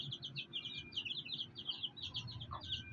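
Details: Fighter chicks with a black hen: quick, high peeps tumble over one another for three seconds, with a single lower note near the end and a low background rumble.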